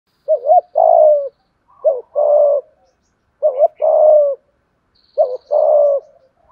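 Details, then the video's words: Spotted dove giving a full song in the 'giọng thổ' voice style with 'thúc gù' cooing: four phrases, each a short, wavering double coo followed by a long, steady, mellow coo, repeated about every one and a half seconds. "cu cườm gáy đủ bài giọng thổ"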